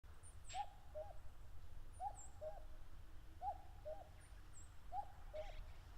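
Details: Common cuckoo (Cuculus canorus) in late May on grassland at the foot of Mount Fuji, Japan, calling during territorial disputes: two-note falling "cu-ckoo" four times, about every 1.5 seconds; thin high chirps from another bird and low wind rumble behind.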